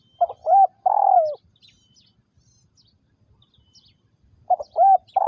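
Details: Spotted dove, a captive decoy bird kept for trapping wild doves in Vietnam, recorded in 2022: two three-part coos, a short note, an arched note and a long falling purr, with faint high chirps of other birds between phrases.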